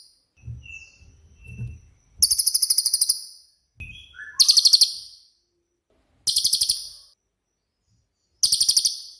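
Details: Cililin, a shot-type singer used as a training model for songbirds; four strident very high rattled phrases of quick pulses, roughly every two seconds, with brief whistles and low soft sounds before them.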